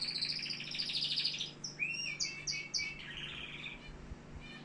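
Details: Algerian canary singing a dense rolling trill, then several sharp high notes and upward-sweeping whistles, finishing with a softer buzzy run; steady low hum behind.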